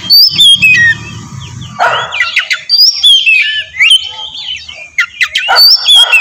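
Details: Oriental magpie-robin, kacer, lure song to provoke a reply: bright whistled phrases broken by harsh, broadband rasping bursts repeated several times, with a low rumble under the opening second.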